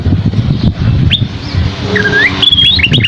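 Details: Scaly-crowned babbler (asi topi sisik) song, described as lively with a rich mix of phrases: clear whistles rising and falling, a long downward-curving slur, then quick high notes, over a steady low rumble like traffic.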